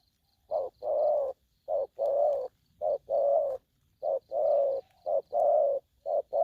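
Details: Aggressive young spotted dove giving 'thổ' style calls: about six steady pairs of a short note and a longer, hollow coo, evenly repeated with little background sound.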